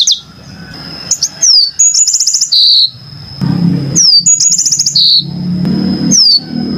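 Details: Two similar yellow-fronted canary phrases, each a sharp falling whistle, a quick high trill and a buzzy ending, separated by pauses filled with a constant thin high tone and low background rumble.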